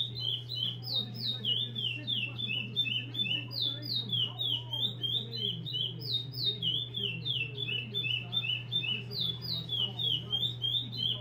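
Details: Curió, the chestnut-bellied seed finch, kept at a breeding facility, delivers long repetidor song: rapid runs of high, downward-slurred whistled notes repeated again and again, with faint lower chatter and a steady hum beneath.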